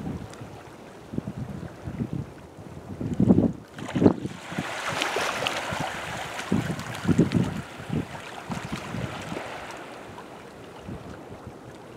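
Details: Wind buffeting the microphone and waves lapping at the shore, with no animal calls heard.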